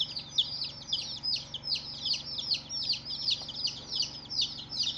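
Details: Newly hatched chicks on their first day chirping together, sharp high peeps that drop in pitch, tumbling over one another rapidly and continuously over a faint low background hum.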